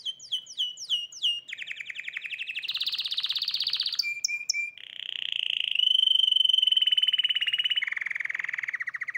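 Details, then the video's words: Hybrid canary in breeding, singing a varied song of tours: high swooping notes repeated rapidly, then a fast buzzy trill, a brief lower note series, a long steady pure whistle with rolling pulses, and a lower rattling trill at the end. "تغريد هجين كماتشو"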